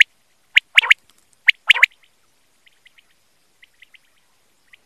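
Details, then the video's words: A quail calling, recorded for quail hunting: two bursts of loud sharp staccato notes in quick succession, then a run of faint, soft short piping notes trailing off into quiet. "BATAIR KI AWAZ || QUAIL CALLING"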